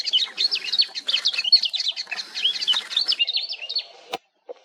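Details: Swamp Grass Babbler at Maguri Beel, Assam, India, in March 2021, giving a rapid, scratchy run of high chattering and twittering notes for about four seconds, ending with a sharp click.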